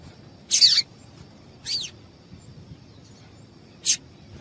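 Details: Female yellow-bellied seedeater calling, a call used to get males singing fast: three short, high chipped notes, the first two with downward sweeps, spread over about four seconds, above a faint steady high whine.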